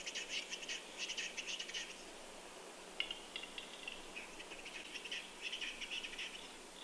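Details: A lone male-display Western capercaillie lekking alone in falling snow early in the morning, Kuusamo, 6 May 2021, recorded with a Sony A1 and Atomos Ninja V: bursts of dry clicking and scraping notes in several clusters, with a pause mid-way.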